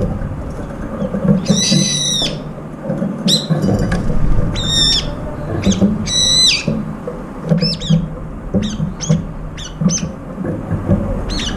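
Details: Several brown-eared bulbuls feeding together and competing for food, one bird with an injured left foot; harsh, buzzy bursts of stacked screeching notes come in irregular clusters, some longer and some clipped, over low background rumble.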